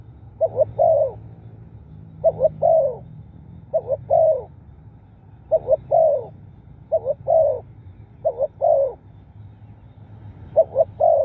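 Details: Spotted dove calling to attract wild doves, giving soft, low coo phrases of two clipped notes then a longer rolling one, spaced irregularly one to two seconds apart, with a faint background rumble.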